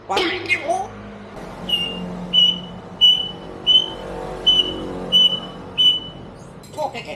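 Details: Pet parrot raised in a vehicle repair shop imitating a motorbike that fails to start: a row of seven short, clear whistled notes about every 0.6 seconds over a low rumbling hum, with a brief squawk at the start and end.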